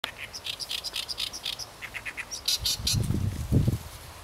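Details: Oriental reed warbler singing: a run of harsh, chattering notes repeated in quick succession, shifting between lower grating syllables and higher sharp ones, with a few dull low thumps near the end.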